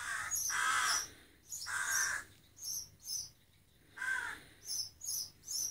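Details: Hungry rook fledgling: harsh, hoarse caws at the start and again midway, with a string of high, clipped chirps toward the close.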